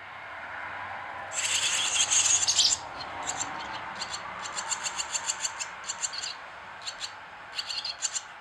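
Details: Swallow chicks begging while being fed. A brief burst of dense, high, excited chatter gives way to short, thin, high chirps repeated about three times a second. A steady broadband hiss runs underneath.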